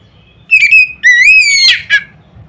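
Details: Loud song of a white-rumped shama used to set off other birds: a short warble, then a long upward-sliding clear whistle ending in two harsh buzzy notes.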